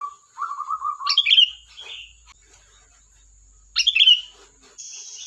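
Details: ['Sooty-headed bulbul singing: a low, evenly repeated chattering series, then two bright, bubbly whistled phrases that drop in pitch, with a faint steady high tone underneath throughout.']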